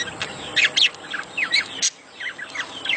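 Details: Budgerigar mating sounds played to encourage breeding: bright sliding chirps and short whistled upswept notes in quick series, with a brief gap before more chirping.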